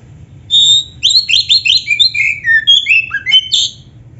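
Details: Oriental magpie-robin, black-breasted type, song meant to make caged birds sing along: a long whistle, then a rapid series of downward-sliding notes and mixed whistles ending in a high phrase.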